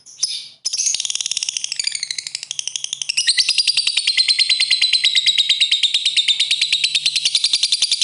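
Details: Lovebird in ngetik ngekek mode, calling to make other birds sing: a short harsh burst, then a long, fast, unbroken ticking chatter with shrill whistled overtones, getting louder and steadier through the second half.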